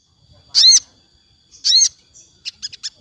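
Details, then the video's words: Afternoon song of a sogon, used to train captive birds: two loud arched high whistles a second apart, then three short quick notes. "suara sogon syahdu sore hari"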